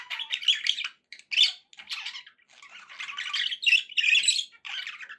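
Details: Chattering budgerigar song from indoor pets: short scratchy bursts and squeaky chirps in quick succession with brief gaps between phrases.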